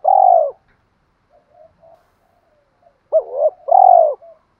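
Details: Spotted dove cooing to attract females, 'giọng đồng pha' song style: a loud rounded coo, a pause with faint murmurs, then a hooked double note and another full rounded coo with a short tail.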